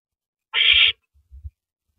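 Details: Owl at the nest passing a rabbit to its mate, 9:14 PM, April 9, 2012; one harsh, grating screech lasting under half a second, followed by a few faint low thuds.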